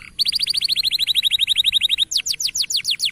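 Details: Local canary song used as a training recording so other canaries learn to sing prolifically: a rapid trill of short rising notes, about eight per second, then a slower trill of downward-sweeping notes.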